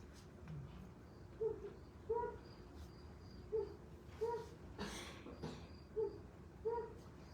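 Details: Flammulated Owl (Psiloscops flammeolus) song after dark on a mountainside: soft, low hoots, some single and some two-parted, about one a second, with a brief rustle midway.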